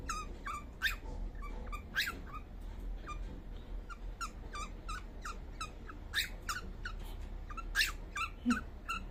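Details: Sleeping young cockatiel making soft sounds: brief chirps and squeaks that come in loose clusters, roughly one or two each second, some louder and buzzier, in a quiet indoor setting with low background hum.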